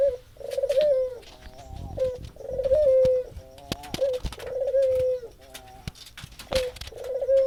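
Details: Spotted dove lure call meant to get a silent, stalled dove calling: soft, low, hollow coos with slightly wavering tails, repeated several times, mixed with sharp clicks, knocks and handling noises indoors.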